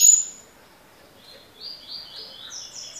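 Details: Double-collared seedeater in the tui tui (tocó) style: after a brief sharp note at the start comes a pause, then a faint series of thin, high, slightly descending whistled notes, evenly repeated, against a soft hiss.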